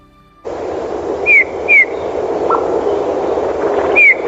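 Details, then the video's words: Eurasian bullfinch in winter, a bird said to arrive with the first snow: three short, soft, falling piped whistles, two close together and one after a pause, over a steady background hiss. "послухайте як співає снігур"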